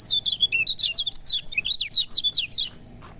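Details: Song of a lemon-bellied white-eye, played to encourage lazy birds to sing: a quick, lively burst of high, looping chirps, evenly packed for two and a half seconds, ending abruptly.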